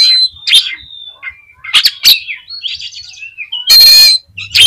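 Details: Provocative Oriental magpie-robin song for stirring up other birds: soft warbled whistles and buzzy phrases between loud rasping screeches, the longest harsh burst near the end.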